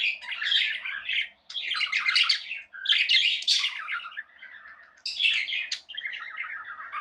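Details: Budgerigars chirping in an indoor setting: phrases of scratchy warbled chatter separated by short silences, ending in a lower, smoother warble.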